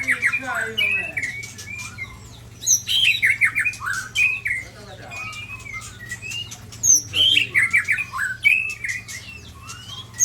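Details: White-rumped shama of Sabang, Aceh, attacked by shamas from Ujong Pancu and Tangse, Indonesia. Bursts of sharp, varied whistles and slurred notes arrive in clusters separated by brief pauses, with a constant electrical hum beneath.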